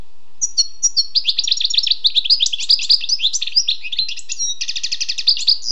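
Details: European goldfinch, wild, singing a long unbroken stream of high, liquid twittering notes, starting with a few separate chirps and building into fast rippling trills.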